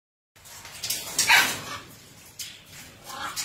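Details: Playful lutino macaw indoors giving harsh, broadband squawks in short bursts, with the loudest near the middle and softer calls toward the end.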